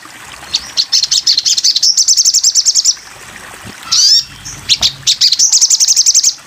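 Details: Sogon bird in a masteran (tutor) recording: a fast series of very high, clipped, trilled notes, broken by a sweeping slurred call, then more rapid high chatter.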